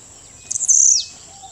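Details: Blue-black Grassquit (Volatinia jacarina) at Las Peñas, Ecuador, gives one short, very high, buzzy call note slurring downward, over a steady high insect hiss.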